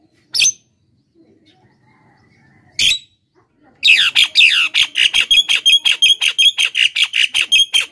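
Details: Javan myna lure song, played to draw wild birds and prompt silent captive ones to sing: two harsh isolated squawks, then a loud run of rapid, grating, clicking notes, about three per second, with whistled overtones.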